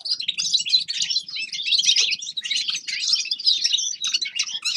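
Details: Winter song of forest birds, a dense and continuous high twitter of jumbled chirps and buzzy trills. The warbling never pauses across the whole stretch.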